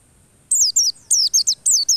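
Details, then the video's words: White-eye song for provoking white-eyes to sing persistently: after a brief pause, a quick series of high, bright down-slurred chirping notes in close groups. "PANCINGAN PLECI agar NGOTOT dan rutin bukan paruh."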